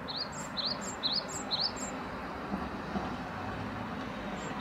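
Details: Great tit singing a short series of four or five clear two-note phrases, high then lower and rising, before falling silent, leaving only a continuous low rumble of background noise.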